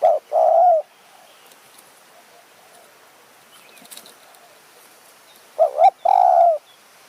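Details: Spotted dove calling in high mountain forest near Kanchanaburi, Thailand, while lured with a decoy bird. A soft, low coo phrase opens, then a long quiet gap with faint distant bird notes, and a second short-then-long coo phrase closes.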